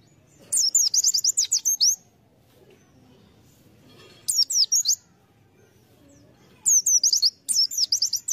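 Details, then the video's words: White-eye lure bird with long, rapid twittering bursts of high chirps, about a dozen notes per burst, separated by quiet gaps of two seconds. "Pleci | Burung Kacamata bahan pancingan"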